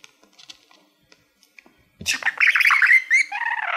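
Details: Male budgie performing to a reflective plaque he enjoys like a mirror: after soft scattered ticks, a sudden loud burst of rapid chirruping chatter that ends in a wavering, whistled warble.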